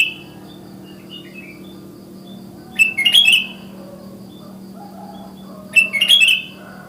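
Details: Morning calls of a wild sooty-headed bulbul summoning other bulbuls. Two short, bright, warbled phrases about three seconds apart, each a cluster of quick rising and falling notes, with a low steady hum beneath.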